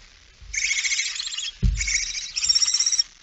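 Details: Barn owl on 17 September 2019 at 06:11, female arriving with a mouse; long rasping hiss broken by a dull thump, then a second hoarse screech that grows rougher toward its end.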